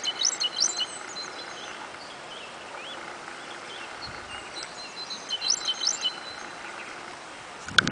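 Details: Great tit (Parus major), song.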